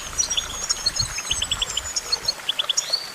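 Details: Goldfinch singing a lively twittering phrase. Thin high whistles mix with runs of crisp, evenly spaced chirps, often three or four in quick succession. Light low-pitched background noise throughout.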